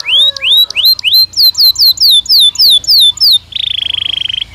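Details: Belgian canary in natural song, first repeating upslurred whistles, then a rapid string of downward-swooping notes, finishing with a steady buzzy rattle.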